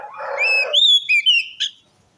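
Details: Orange-headed thrush lure song to encourage a reluctant or stressed bird: a harsh rasp overlapping rising whistled notes, then a steady high whistle and a brief sharp ending note.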